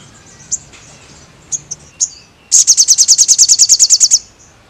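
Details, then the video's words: Scattered sharp chips lead into a crested jay's rapid rattle of about fifteen piercing, high, evenly spaced notes, from a bird singing actively in a recording meant to train caged birds. "sogon gacor pelatih burung anda"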